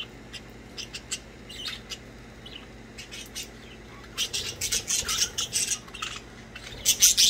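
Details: Budgerigars playing, giving scattered high chirps and harsh squawks, sparse at first, then a dense burst of scratchy chatter in the second half, ending with a loud raspy squawk.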